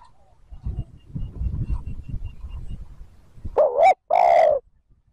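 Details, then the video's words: Low rustling and shuffling, then a single loud spotted dove phrase near the end: a wavering double note followed by a long throaty coo, from a recording made to lure wild birds. "TIẾNG CHIM CU GÁY THÚC GÙ KÍCH BỔI NHANH NỔI CỰC SUNG, MỒI NGHE LÀ GÁY"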